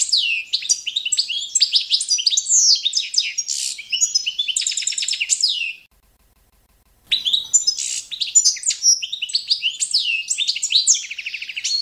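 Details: European goldfinch of the Balkan subspecies Carduelis carduelis balcanica, competition-standard song for training birds: dense high twittering, liquid trills and rapid buzzy stutters, broken by a second of silence before the song resumes.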